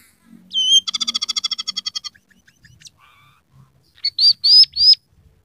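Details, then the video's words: Scaly-breasted munia in full song carrying mimicked rough canary, red siskin and sparrow phrases: a whistled note opens into a fast, buzzy rattling trill, then a pause and four loud, sweet whistles. "masteran burung emprit peking gacor isian suara kenari kasar"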